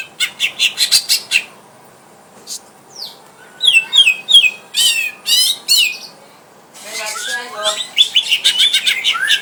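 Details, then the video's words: Rival-fighting test of a greater green leafbird kept at home: loud runs of quick, sharp chirps, slurred whistles and buzzy trills delivered in dense bursts, pausing briefly before another rapid chattering series. "burung cucak ijo tarung ngetes cucak ijo dirumah"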